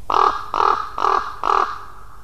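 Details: Ravens and a crow calling, recorded live; here four harsh, hoarse caws are evenly spaced about half a second apart, each brief and nasal, with light background hiss.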